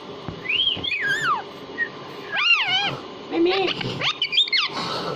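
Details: Talking pet parrot said to speak Hindi, producing long swooping whistles and warbled, speech-like phrases that rise and fall, with a shorter squeaky burst near the end.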